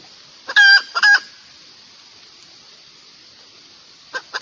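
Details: Red junglefowl giving two short, loud, ringing crow-like notes in quick succession, then a long quiet stretch before two faint clucks at the end.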